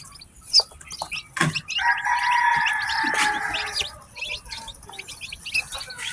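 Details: Newly hatched chicks of domestic chicken, one farm batch, chirp busily. Short, high peeps overlap continuously, broken by a louder, longer two-toned cry in the middle and a few low knocks.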